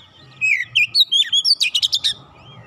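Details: Kacer, the Oriental magpie-robin, giving a short phrase of slurred descending whistles followed by a rapid series of bright chirped notes, played to provoke a non-singing bird into song.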